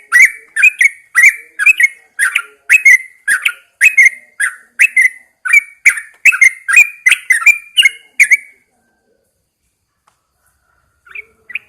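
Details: Morning song of a caged Yellow-vented Bulbul put outdoors at dawn: about eight seconds of lively, gurgling whistled notes, two or so per second, then silence and a brief final chirp.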